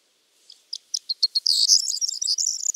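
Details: Corn bunting singing: a few short, separate ticking notes that speed up, then run into a dry, high, jangling jumble, like a rattle of keys, lasting over a second in a quiet setting.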